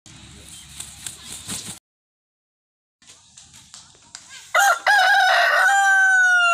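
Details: Rooster crowing: soft scratchy sounds and a pause, then a loud harsh crow that ends in a long, slightly falling drawn-out note.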